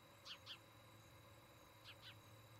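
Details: Nest-cam recording of an osprey at its nest in Charlo, Montana, 17 August 2018 between 18:29 and 19:29: two doubled bursts of sharp, whistled, downward-slurred chirps about one and a half seconds apart, over a low background hum.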